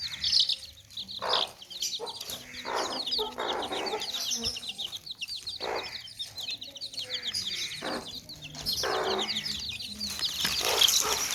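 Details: Baby chicks in a tokri, or basket, keep up a continuous high twittering of tiny peeps, broken by several louder, lower, rough bursts that may be hens clucking or handling sounds.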